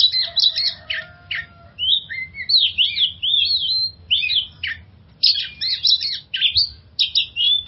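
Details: Magpie-robin song played to coax stressed birds into singing: bursts of bright whistled phrases and squeaky chirps, rising and falling, separated by short pauses, one longer steady whistle early on, over a quiet low background hum.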